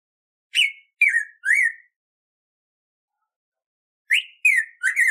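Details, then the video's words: Black-throated grosbeak (bico-de-pimenta or pimentão, Saltator fuliginosus) singing, recorded for teaching and training captive birds: two phrases of three loud, clear whistled notes, each note slurring slightly downward, separated by a silent gap of about two seconds, with no background sounds. "Canto do BICO DE PIMENTA para Ensinamento e Treino (Pimentão)"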